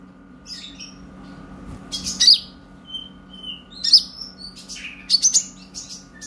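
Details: Purple-throated sunbird, the konin, in sparse lure chatter for training young birds: scattered high thin notes and a few sharp clustered chips roughly every second or two, over quiet hum.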